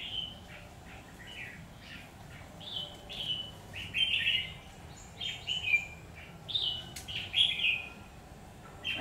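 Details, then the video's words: Red-whiskered bulbul singing in a fight at a trap, recorded 17 October 2019: short warbled, slurred whistled phrases repeated with brief pauses, louder bursts after the first few seconds, and a faint low background rumble. "Bẫy chào mào Căng xòe nết chơi bá đạo"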